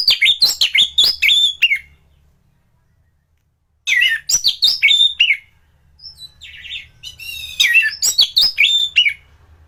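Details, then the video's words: A thrush valued as a top singer and used as training material pours out rapid, loud phrases of mixed whistles and chips in three bursts, each separated by silence or soft buzzy notes. "Burung anis gacoran || masteran untuk burung anis"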